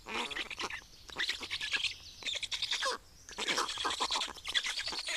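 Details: Black storks in Estonia recorded during feeding on 25 May 2019: bursts of rapid, rasping broadband pulses in fast runs, broken by short pauses, with faint thin chirps between them.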